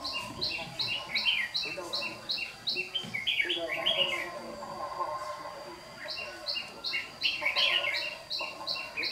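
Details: Red-whiskered bulbul, a decoy used for trapping, in competitive morning song in Đồng Nai, Vietnam, 26 June 2019: bright, bubbly warbled phrases between fast runs of high chirps, about three per second, over faint rustling.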